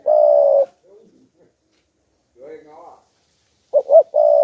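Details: Spotted dove kept as a decoy, cooing to provoke wild doves: a long steady mid-pitched coo, later a soft lower warble, then two short rising notes leading into another long sustained coo.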